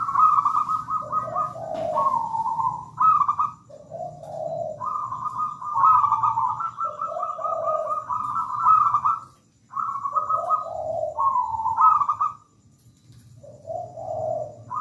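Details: Long bout from a lively local zebra dove, phrase after phrase of high rippling trills mixed with lower soft coos, repeated with short breaks roughly every three to four seconds; low hum underneath.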